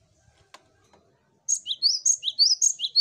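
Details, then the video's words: Cinereous tit song used to lure other birds into singing quickly, a melodious song: after faint knocks, a fast run of sharp paired notes, high bright tones alternating with lower upslurred ones, repeated steadily. "Burung Gelatik Batu Pancing Ombyokan Agar Cepat Bunyi l Zeer melodieuze zang van de Mees (vogel)."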